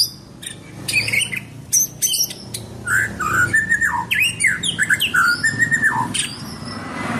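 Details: White-rumped shama, called murai batu, singing vigorously: sharp high clicks and chips, then a long varied phrase of mellow lower whistles, sliding slurs and bright high notes, with a steady background hum throughout.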